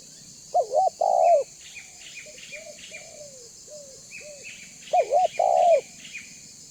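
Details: Spotted dove (tekukur) of banggo type, used as a lure call to draw other doves; a loud two-part coo phrase repeats after about four seconds, softer coos between, with faint high bird chirps behind.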